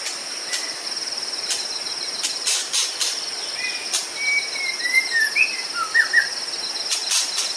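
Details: White-rumped shama of Sumatra singing energetically outdoors: a rapid phrase of varied whistled notes, some swooping downward. Behind it runs a pulsing high insect chorus, with occasional sharp bursts of noise.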